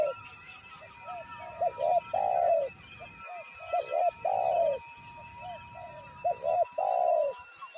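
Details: Spotted dove calling as a trapping decoy once a wild bird is in view: three repeated phrases of low coos, soft lead-in notes, two short notes and a long drawn note, with a steady high tone behind.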